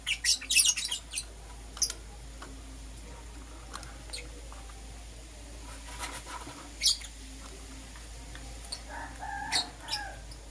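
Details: A green Personata lovebird and a yellow pastel pied lovebird chirping in the morning: a loud burst of rapid piercing squeaks opens, then spaced sharp chirps and a harsher chattering call near the end over low hum.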